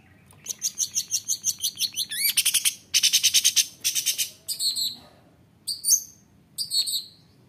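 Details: Long-tailed shrike singing to provoke other shrikes: fast rattling trills of repeated high notes, a harsh buzzy stretch, then separate short chirps with pauses between them.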